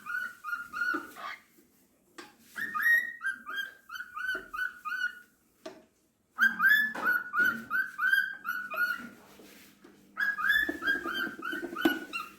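A cockatiel whistles a song of clear, bouncing notes in phrases broken by short pauses.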